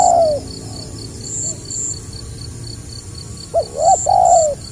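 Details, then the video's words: Spotted dove, 2020, 'gagap rapat selang nguku' style: a fading long coo at the start, a quiet gap, then stuttered short notes and a sustained low coo. Insect chirps and faint hum in the background. "SUARA BURUNG TEKUKUR GAGAP RAPAT SELANG NGUKU"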